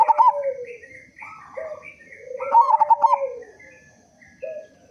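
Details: A local zebra dove, strong-voiced and singing readily, meant to lure others into song; short rolling coo trills followed by sliding, slightly falling hoots, with softer overlapping cooing.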